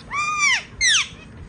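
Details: Pet parrot, kept at home, that starts talking when it sees a phone; two loud, rich, nasal utterances, the first held about half a second before dropping in pitch, the second a shorter downward sweep, over a quiet background.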